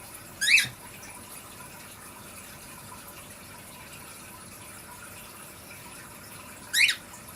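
A cockatiel gives two short, shrill, slightly rising calls several seconds apart.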